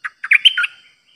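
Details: Streak-eared bulbul, a caged decoy bird, recorded 06/05/2022 in pure 'dok' singing; a brisk phrase of five clear, bubbly notes run together in about 0.7 seconds, brightest near the middle.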